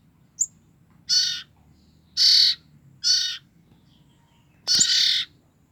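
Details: Rasping notes from two-week-old common iora siblings used to attract the parent birds: four coarse, buzzy bursts at irregular gaps, opened by a brief thin high note and with one sharp click near the end.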